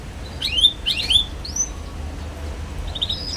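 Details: Young canary, used to coax young canaries into singing, gives a few sharp high chirps and a thin whistled note, then a soft short trill, with low hum in the background.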